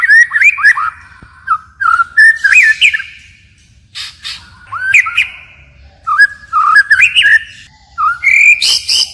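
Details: Forest-voice song of a white-rumped shama switching its voice: separate phrases of warbled whistles mixed with harsh squawks and sharp clicks, delivered in bursts with pauses of about a second.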